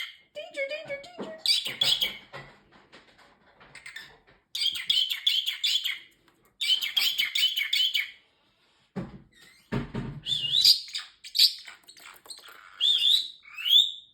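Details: Male pet parrotlet indoors talks in high, squeaky mimicked phrases, with a fake cough and 'excuse me' among them. Bursts of chattery speech-like syllables come with short pauses, and a person speaks briefly in between.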